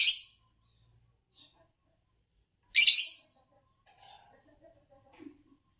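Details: Two loud rasping chirps about three seconds apart from a competition-winning green Fischer's lovebird in Indonesia, followed by soft, low chattering notes.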